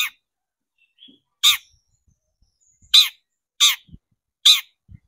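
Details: Long-tailed shrike on a lure recording meant to excite shrikes into singing: five short, harsh, rasping bursts spaced roughly a second apart, each spanning a broad noisy range, with near silence between them.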